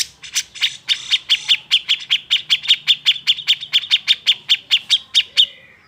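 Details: Agitated cucak jenggot, or grey-cheeked bulbul, song used to goad silent birds into singing: a fast, steady run of about twenty-five bright, clipped chip notes, roughly four per second, ending in a faint trailing note.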